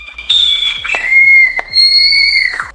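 A Barn Owl gives a single drawn-out, harsh shriek lasting over two seconds, high and rasping throughout, with a few sharp clicks in the background.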